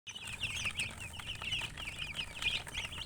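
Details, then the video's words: Colored chickens chirping in a dense chorus: many overlapping high, quick peeps, each a short rising-falling chirp, pouring out continuously with no pauses, over a faint low rumble. "silly chicken chirping sounds with murgi hen color chicken"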